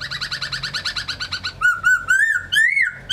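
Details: Laughingthrush singing: a fast run of repeated double notes for about a second and a half, then loud, clear whistled phrases that rise and fall in smooth arcs.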